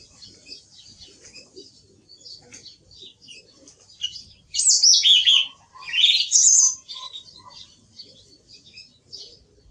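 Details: Song thrush singing: faint high twittering, then two loud ringing phrases of sharp whistled notes in the middle, followed by quieter chatter.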